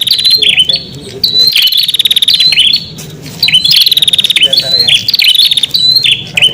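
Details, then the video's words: Lure song of a prinia for calling wild birds: sharp, high, rattling trills with falling and rising buzzy notes, bursts separated by brief gaps, steady low background hum beneath. "Suara Pikat Burung Prenjak Untuk panggilan Prenjak Liar"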